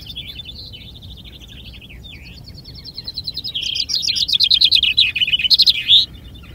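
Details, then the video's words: Common chaffinch at a finch-singing contest (vinkenzetting) in Ardooie: rapid descending trills of high notes ending in a flourish, with other chaffinch phrases overlapping over a faint background hum. "Finch-singing contest / Jappie op vinkenzetting"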